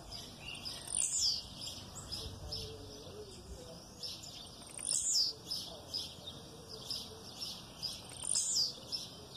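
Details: Blue-black grassquit in aggressive song, with female calls heard in the background. High, sharply falling buzzy notes repeat roughly every four seconds, three times, over soft scattered chirps.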